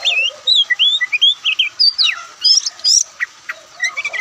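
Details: A white-breasted Oriental magpie-robin, or Kacer Poci, pours out fast, bubbling whistled phrases, mixing slurred notes, sharp chips and quick trills almost without pause.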